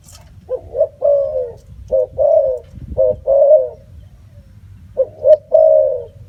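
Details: Repeated coo phrases of a spotted dove, short paired notes leading into drawn-out, wavering coos, three phrases in quick succession above a constant low hum with a faint click or two.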